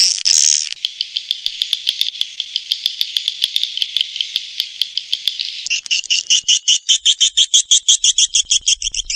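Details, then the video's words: Swiftlet call: a long, high, buzzing trill of quick regular pulses, shifting partway through into sharper, more separated chirping clicks, steady and loud. "Suara Panggil Walet A4"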